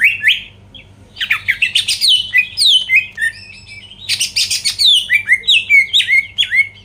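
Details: Greater green leafbird, a caged songbird used to provoke rival birds into singing, delivering a loud, varied song of rapid whistled slurs and harsh chattering bursts, with descending whistled notes repeated about four times a second.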